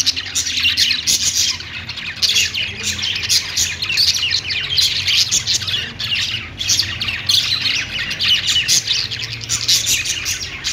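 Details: Budgerigars kept as pets, singing while perched: a long, steady stream of high warbling chatter, fast chirps and squeaky notes pulsing in short bursts, several birds calling together throughout.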